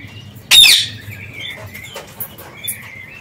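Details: Parakeets at liberty in an aviary: one strong harsh squawk, then a run of thin whistled chirps and soft twittering.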